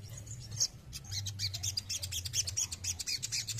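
A male Crested Jay gives a fast run of sharp, high chirping notes, several each second, over a low steady hum.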